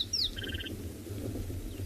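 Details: Rattling Cisticola calling on a morning safari drive in South Africa, 5 December: a quick, high, falling "bloop" whistle, then a fast dry rattle of about eight notes as the bird comes closer, over a low rumble of wind or engine.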